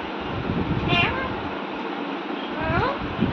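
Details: A pet Alexandrine parakeet, described as happy and talking with its owner, gives two short, warbling, meow-like vocalizations about two seconds apart over a steady background hum of household noise.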